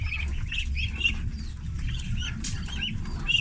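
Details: Thirty farm-raised ducklings at feeding time, high thin peeps rising and falling, several birds calling at once in quick overlapping bursts over a steady low rumble.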